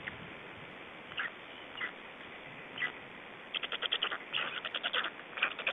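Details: Black storks in Estonia, feeding and changeover, 25 May 2012; a few spaced raspy notes give way to a quick burst of rapid, harsh pulsed calls in the last two seconds.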